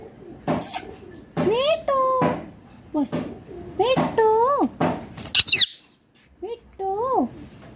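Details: Ringneck parrot vocalizing indoors: tonal, bending whistled notes that rise then fall, mixed with clicks and short speech-like syllables, a brief pause near the sixth second, then two more curving whistles.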